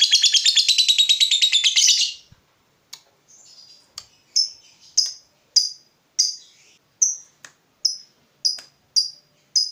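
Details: Fighter lovebird reacting to an opponent: two seconds of fast rattling high chatter, a brief quiet spell, then a regular series of single sharp shrill chirps about every half second.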